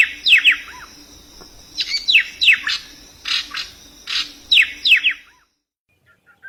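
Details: Paired, downslurred chirps from a bird come in three clustered bursts spread over five seconds, then quiet with a few soft distant ticks.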